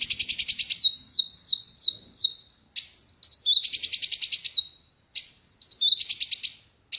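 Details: High-pitched song of a kolibri wulung sunbird held in the hand without a cage: rasping buzzy trills alternate with rapid falling whistled notes and twittering phrases, with short gaps.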